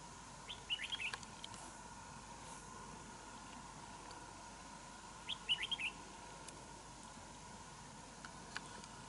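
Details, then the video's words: A wild red-whiskered bulbul challenges a decoy bird at a trap, which it later escapes; two brief, bubbly chirping phrases about four and a half seconds apart, with quiet background hum and scattered clicks. "Bẫy đấu chào mào bổi"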